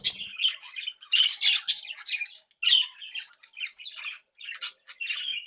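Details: Home-bred budgerigars in a cheerful, playful mood: harsh squawky warbles and chirps, steady chatter of a few birds with brief gaps, in a small room.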